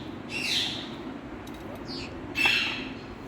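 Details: Hand-tame Indian ringneck parakeet saying "Mithu Beti"; two hoarse, speech-like bursts about two seconds apart, the second slightly louder, in a quiet room.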